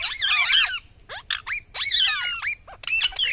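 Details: Indian ringneck (rose-ringed parakeet) giving loud rasping screeches, a long tangled squawk first, then several shorter downward-swooping notes and a final chattering burst, with brief pauses between.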